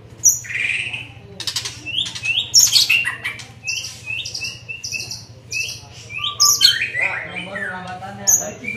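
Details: Young white-rumped shama in training, singing a varied run of high whistled notes and buzzy sweeps, some phrases rising and others dropping, delivered in irregular bursts with short pauses, over a steady low hum.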